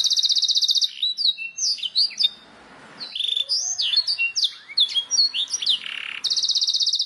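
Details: Canary master song for training: a fast, even trill opens and closes the passage, with scattered chirps and slurred whistles between and a short quiet pause.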